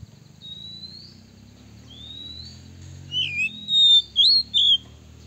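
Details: Male Oriental magpie-robin (kacer) calling to a female: thin rising whistles, then a burst of loud, sweet, slurred phrases with a few sharp upslurs, bright and high; used as a lure song to provoke rival males.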